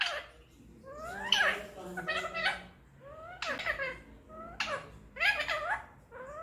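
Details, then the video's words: Pet Indian ringneck parakeet mimicking speech indoors: a run of harmonic, sweeping voice-like syllables in quick succession, resembling a chattering spoken phrase. "'kissMeBaby' #talkingparrot"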